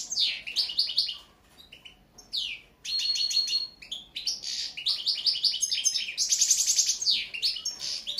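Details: Goldfinch sings rapid twittering runs of high chirps, downslurred notes and buzzy trills in lively bursts, with a brief quiet gap near the middle.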